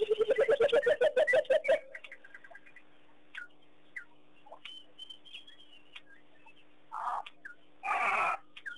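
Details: Burchell's coucal song at Pete's Pond, Mashatu Game Reserve, Botswana, January 21, 2010, with dancing cattle egrets. It opens with a quick run of deep pulsed hoots, then scattered high chirps and two harsh rasping bursts.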